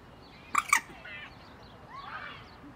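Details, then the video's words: A common moorhen (Gallinula chloropus) in Tivoli Landscape Park, Ljubljana, on 23 June 2023 gives two quick, loud, harsh clucking notes, then fainter chattering and a rising nasal note over a soft background murmur. "Gallinula chloropus ZELENONOGA TUKALICA"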